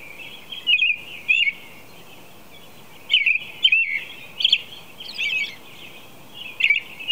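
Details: American robin singing at 4 a.m., a series of short clear whistled phrases around the middle range, given in pairs and clusters with pauses of about a second or more between groups, over a steady background hiss.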